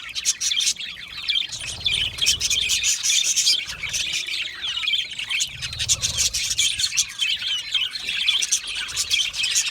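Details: Budgerigars in a colony, said to chirp when happy and comfortable: a dense, continuous chorus of overlapping high chirps, whistles and chatter from many birds, with scattered low thumps.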